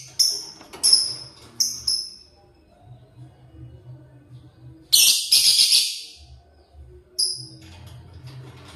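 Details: Lovebird feeding on corn in the morning: a few short, sharp squeaky notes at the start, then a longer rasping burst and another squeak near the end, over a faint low hum.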